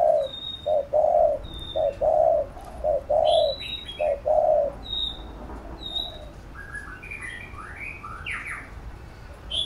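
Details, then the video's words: Spotted dove cooing in a quick series of short notes and longer soft coos for training a young captive bird, then falling quiet while other small birds whistle and chirp at higher pitch. "Cu Gáy THÚC GÙ Siết Bổi Đẳng Cấp/ Kích Mồi Tập Bổi Căng Đét"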